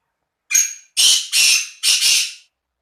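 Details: Black francolin recorded in Khushab: loud, harsh, grating call of five rasping notes, a single opening note followed by two close-linked pairs, delivered in quick rhythm over about two seconds, with no other sounds.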